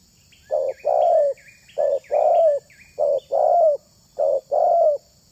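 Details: Spotted dove coo used to draw in other doves, four short-long coo pairs with a downward-bending second note, while another bird gives high repeated chirps in the background.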